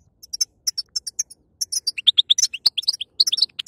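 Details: European goldfinch female singing, played to strengthen a male after feather moult: a run of short high chirps, then a fast series of sweet rising notes mixed with buzzy twitters, one sharp click midway.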